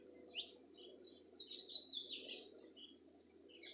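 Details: Birdsong recorded in Itatiaia, Rio de Janeiro state, Brazil, February 2020: quick bursts of high, thin twitters and short sliding whistles, building to a dense trill mid-clip before thinning into scattered chirps, over a soft low rumble.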